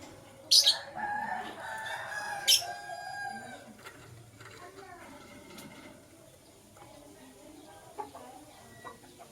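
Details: Blue and green lovebirds chirping in the morning: two loud, harsh, shrill shrieks about two seconds apart, with a rooster crowing and faint clutter in the background.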